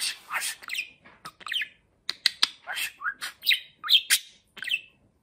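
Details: A talking pet budgerigar that has just moulted and become quite plump chatters in rapid bursts of buzzy chirps and warbled notes, with speech-like murmuring phrases separated by short pauses.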